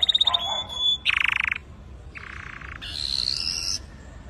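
A red factor canary sings in quick changing tours: a high rapid trill, buzzy rolling phrases, then a bright rising whistled passage, all delivered without pause.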